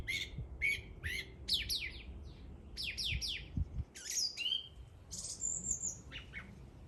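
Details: Bird song of rapid downward-sweeping chirps in clusters, followed by a higher, drawn-out whistle and a few trailing twitters; steady, quiet background.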